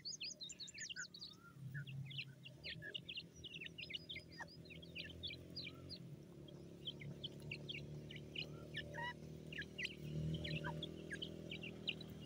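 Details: Grey francolin chicks giving a busy stream of thin, high peeps and short chirps, many overlapping, over a steady low hum.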